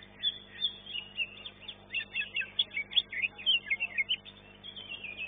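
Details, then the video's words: A caged greater green leafbird at a singing competition, finishing second in its class, gives a fast chain of sharp chirps and slurred whistles, roughly several notes per second, with faint background hum. "CUCAK IJO"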